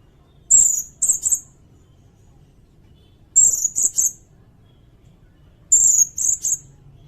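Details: Sirindet, recorded as a master song for shamas and magpie-robins: three phrases, each a downslurred high whistle followed by two or three shorter chirps, roughly every two and a half seconds.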